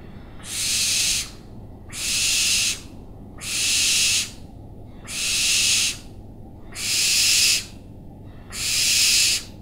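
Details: Owl repeating harsh, hissing screeches, six rasping bursts each close to a second long, spaced roughly every one and a half seconds, steady and even against a quiet background.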